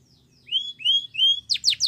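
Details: Canary sings a Spanish Timbrado training song: three clear, rising whistled notes, then three fast, steeply falling buzzy trills, bright and high.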